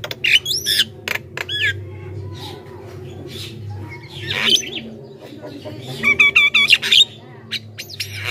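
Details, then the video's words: Javan myna in energetic, chattering song, used to lure wild mynas: scattered harsh rasping bursts mixed with short whistled notes, a quiet stretch mid-way, then a quick run of clipped notes near the end over a low steady hum. "suara burung jalak kebo gacor,ocehan full bikin jalak lain ikut gacor dalam sekejap"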